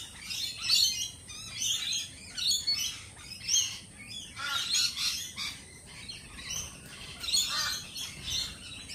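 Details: A group of lorikeets at a cafe produces high, scratchy squawks and chattering notes, rising and falling in intensity throughout.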